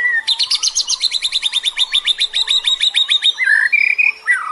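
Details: White-rumped shama song, forest-sourced recording used to coax and train captive birds, featuring a fast rattling series of about thirty bright repeated notes over three seconds, then short warbled whistles.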